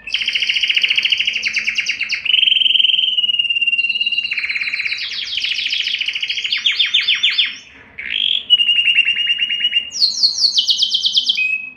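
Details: Excited canary song meant to arouse mating readiness in males and females: continuous fast rolling trills shifting pitch from phrase to phrase, one brief pause near the end, steady low background hum.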